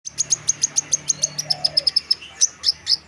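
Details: Chestnut munia singing actively, a brisk run of very high, thin, piercing notes, about two per second, steady and evenly spaced, ending with a few longer, slightly louder whistled notes; faint low hum beneath.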